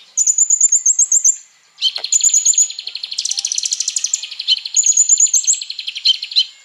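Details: Konin in continuous full song for training other birds: high trilled runs over a dense, buzzy rattling chatter that pulses rapidly throughout.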